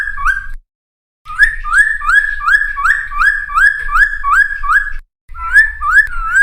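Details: Cucak timor song meant to lure wild birds and train caught ones to copy it: bursts of rapid upslurred whistles, evenly repeated, separated by two short silent breaks, with low background rumble.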